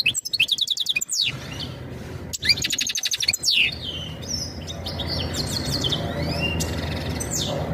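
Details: European goldfinch mating calls for readying the female: a burst of fast buzzy trills and twittering for about three seconds, then fainter high notes fading into a steady background hiss.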